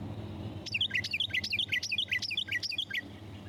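Carolina Wren song: a loud, rolling run of about six quick whistled phrases, each a bright falling-and-rising triplet, repeated briskly over a faint low hum.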